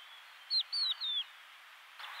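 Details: Crested lark song: three clear whistled notes, each sliding downward, the middle and last drawn out, over a steady background hiss.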